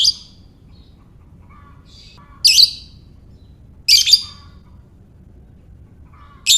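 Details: Lovebird calling as a lure for other lovebirds: four sharp, rasping, high squawks spaced about one and a half to two and a half seconds apart, with quiet, soft twitters and chirps between them.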